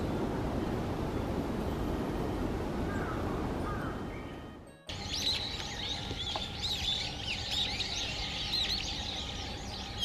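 Brown-eared Bulbul: shrill, squeaky arched notes in quick overlapping bursts, as if several birds call at once, after a few seconds of rushing wind-like noise.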